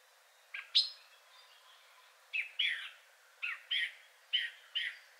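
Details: Third male Song Thrush with a richer song, some sounds resembling a nightingale: short high whistled and chirped notes in loose pairs, separated by pauses, over a quiet background.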